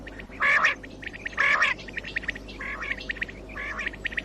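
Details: Common quail call played to lure birds for morning hunting: two loud rasping bursts about a second apart, then two softer ones, over a busy background of quieter clicking calls.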